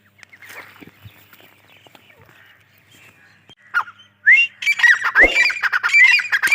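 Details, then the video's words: Grey francolin: faint scratchy sounds for four seconds, then loud ringing, rising call phrases burst out and repeat rapidly to the end. "Gray Dahkni teetar sounds | gray teetar ki awaz"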